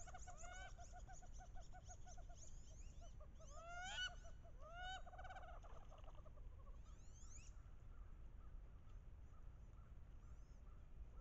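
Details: Wood duck mating ritual on a bayou, late October; hens call loudly, chasing and posturing before drakes. Repeated short harmonic notes and several sharp rising squeals for about six seconds, then mostly quiet low background with faint high whistles.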